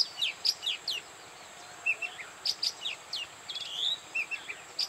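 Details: Oriental magpie-robin song recorded at Bada, North 24 Parganas, India: spaced, bright whistled notes and short chirps in loose clusters, with brief gaps between them, over a faint steady hiss.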